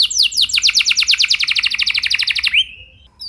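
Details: Canary singing as a lure to start other canaries singing long. A dense, rapid trill of about nine high falling notes per second runs for two and a half seconds, closing with a drawn-out sliding whistle.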